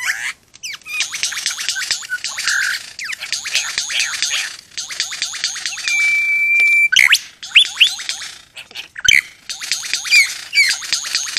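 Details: Wild male superb lyrebird just inside a gate near Lakes Entrance, East Gippsland, Victoria, pours out a dense, rapid run of varied chattering, squeaky and whistled phrases, including one long steady whistle, with abrupt switches; the sounds are its own, not mimicked man-made ones.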